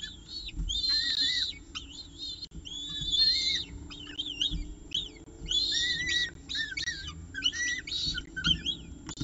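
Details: Peregrine falcon nest at evening feeding time, Orange, 18 October 2018, 6:51 pm, filmed by nest camera: repeated piercing, wavering squeals in long drawn bursts, almost continuous, over a low background hum.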